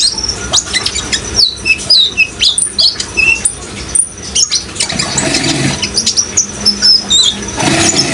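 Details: Rapid high-pitched chirping and thin whistled phrases from a vigorously singing van Hasselt's sunbird, with a continuous water rush that swells midway.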